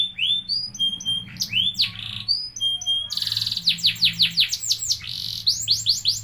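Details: Caged canary in full energetic song: a fast, high continuous stream of bright whistles, upswept chips and rapid rolling trills, changing phrases every second or so without a break, over a faint low indoor hum.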